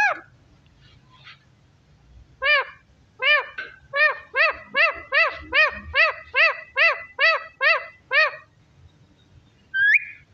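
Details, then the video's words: Parrot utters a rapid string of about thirteen identical arched, harmonic syllables, roughly two per second, after a few softer sounds, then ends with a single rising whistle; faint low rumble underneath. "Beautiful parrot talking"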